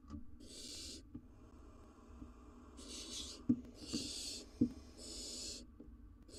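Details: Wild barn owls in a nest box as the male brings a rodent to the female and nestling; long rasping hiss-screeches, each about half a second, repeated about once a second, with scraping and knocking sounds beneath.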